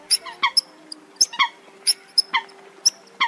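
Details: Eurasian coot lure recording for night net trapping of migrating birds, early season August 2024: sparse, sharp, high squeaky notes, singly or in pairs, roughly once a second, over a quiet hum.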